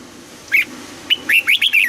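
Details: A mature wild red-whiskered bulbul drilled to sing double notes in the morning. One wavering chirp is followed by a fast run of five bright, rising-and-falling warbled notes.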